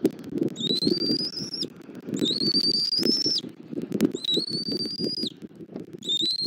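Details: Nest-camera recording from Southwest Florida, 09:15 on 21 January 2024, of bald eagles as an adult feeds the chick: a series of four long, piercing, slowly rising whistles at a steady pace, with constant rustling and breezy background noise.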